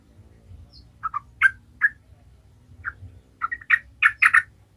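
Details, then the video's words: Sooty-headed bulbul singing, used as a lure for other bulbuls: scattered mellow, lower chirping notes in small groups, with a louder, denser cluster near the end. "Trucukan gacor ngalas"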